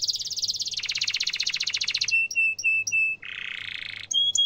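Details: Canary song used as a tutor recording for young canaries: rapid buzzy rolled trills sliding lower, then clear repeated whistled notes and a harsh buzzy phrase, ending in sharp high chips.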